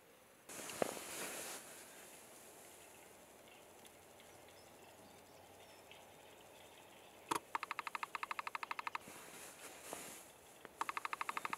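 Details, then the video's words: Western capercaillie display at a spring 2020 lek: a sharp pop, then fast dry scraping ticks for about a second and a half, starting again shortly after, with a brief rush of noise earlier. "Metson soidin"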